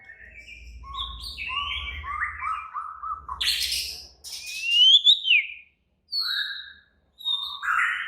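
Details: Agitated, excited White-rumped shama pouring out varied song: stepped whistled phrases, a burst of harsh high notes, a piercing rising-falling whistle, and short clear notes after pauses; a faint low hum underneath.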